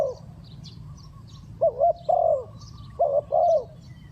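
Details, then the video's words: Spotted dove cooing fast, a sound used for trapping: after a quiet start come two pairs of low coos, a short note followed by a longer falling one, with faint high twittering behind. "Chim cu gáy gù tốc độ"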